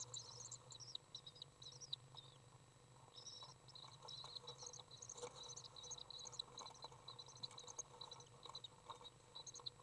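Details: Common swift young begging in a nest box as a parent feeds it, June 18th 2011; high twittering bursts come and go, fainter in the middle, with shuffling knocks and a steady low hum.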